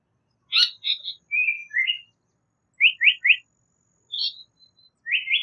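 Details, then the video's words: A Japanese paradise flycatcher alternates rough chattering notes with clear slurred whistles and a crisp three-note rising phrase, then a final rising triplet. "Japanese Paradise Flycatcher Call / Sound / Song"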